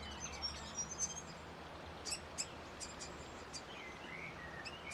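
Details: Grey fantail uttering sharp, high clicking chips spaced irregularly, with a few thin whistled notes at the start and soft sliding notes near the end, over low background hum.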